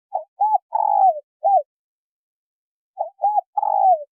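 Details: Two quick cooing phrases from a female spotted dove calling to stimulate a male, each a short coo, a rounded coo and a long rough downslurred croo, the first ending with a brief extra note.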